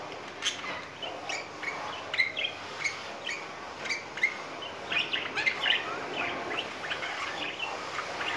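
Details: Budgerigars, a courting pair in spring: soft, short chirps repeated at irregular intervals about every half second over steady background hiss.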